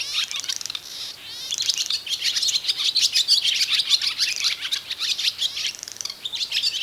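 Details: Barn swallow, the loudest and brightest singer among swallows, singing during pair formation: fast, busy twittering mixed with scratchy clicks and short warbled phrases, delivered in an unbroken stream with a short trill in the middle.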